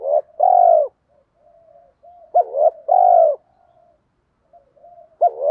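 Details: Spotted dove cooing as a lure call: loud, hoarse coos in pairs with soft trailing murmurs between them, repeating every couple of seconds.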